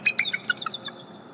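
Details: Bald eagle at the nest calling a morning greeting, recorded by a nest cam: a quick series of about six high, squeaky chirps that slide downward and fade out, with a faint steady hum behind.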